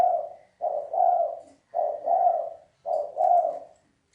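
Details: Three deep, rounded double coos from a spotted dove in the 'sấm chuông' style, a call meant to excite males, females and newly trapped birds, spaced a little over a second apart.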